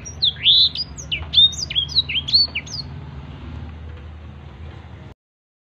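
Black-throated Canary pours out a quick, varied run of high, sweet twittering whistles for about three seconds over a low, steady hum.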